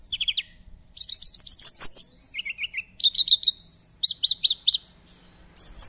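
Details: Javan bush lark song used as a lure to prompt silent larks to sing: a fast, varied jumble of high, thin trills and sharp chirping notes in quick bursts, with some lower warbled phrases between.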